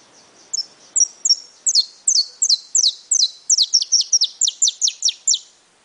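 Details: Brown (pardo) saffron finch song: a few hesitant high chips that build into a steady, accelerating series of sharp descending chirps, about two and a half per second, then stop abruptly.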